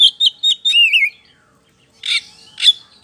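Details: White-rumped shama singing as a lure for other birds: clear whistled notes and a warbled, wavering phrase that slides downward, a pause, then two harsh bursty notes.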